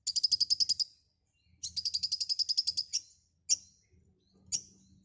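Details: White-rumped shama, locally konin, singing briskly with a full filler repertoire: two rapid high rattling trills, the second longer with about fifteen pulses, then two isolated sharp high chips.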